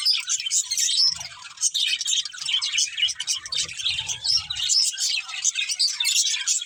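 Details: Several budgerigars chirping together in a dense, unbroken flock chatter of high, scratchy warbles and tweets, with soft low thumps near the first second and again through the middle.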